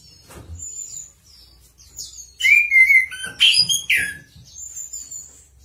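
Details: Chestnut-capped thrush in vigorous song: scattered thin high notes, then a loud warbling whistled phrase, a burst of harsh high notes and a rising whistle, fading back to soft high twitters.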